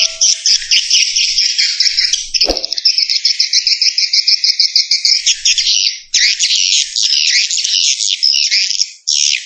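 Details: Swiftlets in an "Escape" lure recording meant to draw birds in: fast, shrill, chattering twitters running on without pause, with one brief low thump near the middle.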